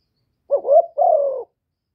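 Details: Single spotted dove phrase used to provoke rival birds: a quick wavering note sliding upward, then a sustained coo that gently falls, in a silent setting.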